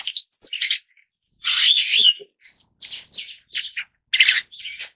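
A superb starling gives a rambling run of harsh, buzzy chatters mixed with brief thin whistles, in bursts about every half second with no other sounds.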